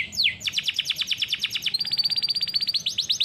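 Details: Canary, described also as Belgian canary, in song training: a quick downward sweep, then a rhythmic trill of bright high notes about eight per second, shifting into a faster, steadier high-pitched roll.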